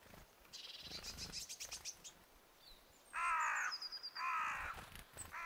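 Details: A Willow Tit calls powerfully: a few thin, high 'zi-zi' notes, then two loud, harsh, nasal drawn-out 'tchaay' calls about a second apart; a carrion crow is also calling.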